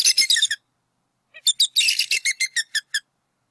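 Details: Adult bald eagles vocalizing near their nest in NW Georgia on 8 April 2018 while chasing an intruder; a quick burst of shrill notes, a pause, then a rapid descending series of about ten high piping chips.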